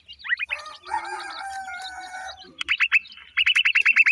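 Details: Black francolin chicks, new season: a few quick notes, then a sustained whistled tone, followed by an accelerating series of short downslurred chips repeated rapidly.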